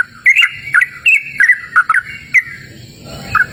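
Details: Short burst of yellow-vented bulbul song, recorded outdoors in a cool natural setting: a handful of quick liquid chirps and warbled notes, then a lull with one last chirp near the end, faint background hum.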